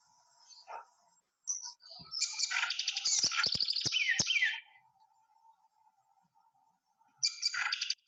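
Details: House wren, a very common bird living close to houses, played to contrast its song with two call types: a fast burst of buzzy, bubbling trills and chatters lasting about three seconds, then a shorter similar burst, with a faint steady tone behind.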